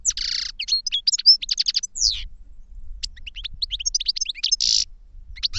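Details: Goldfinch pouring out liquid twitters and quick chirps, opening with a harsh buzz, then a short gap, then more tinkling notes and another buzzy phrase.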